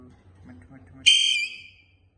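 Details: A pet parrot gives one loud, shrill, harmonic squawk lasting about half a second, held steady and then fading, after a stretch of faint low murmuring voices.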